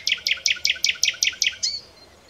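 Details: Common nightingale (Luscinia megarhynchos) delivering a fast, even rattle of about eight repeated paired notes in under two seconds, closing with a short higher note.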